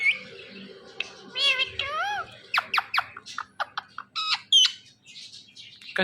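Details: Pet Indian ringneck parrot, one of two kept at home, giving a rapid run of sharp, high squawks and clipped chirps after some bent, whistled notes, with a person nearby repeatedly saying meow.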